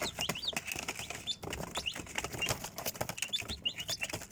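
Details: Chicks' shrill peeps, short slurred whistles in loose bursts, half hidden under heavy scratching, pecking clicks and fluttering.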